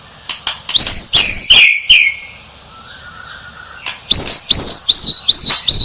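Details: Sharp high notes and a descending slur from a champion White-rumped shama, a quiet gap, then a run of repeated high, ringing upslurred whistles.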